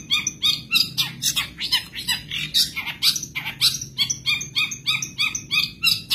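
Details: Madura long-tailed shrike, a caged songbird trained on recordings of other birds, singing a full mimicked medley: rapid chattering run of harsh and sweet notes, about three per second, with a low steady hum underneath.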